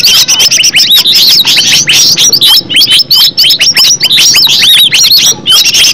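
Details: Green leafbird, original natural song used as a lure; fast, varied high whistles and curling slurs tumble together in a dense warble, dipping briefly in the middle before resuming strongly.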